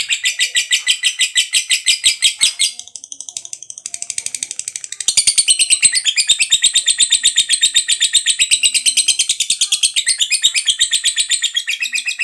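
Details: Long ngekek from a fighter-type lovebird, used to prompt other lovebirds to sing: shrill buzzy notes repeated in quick succession, softening briefly after a few seconds, then resuming louder and steady to the end.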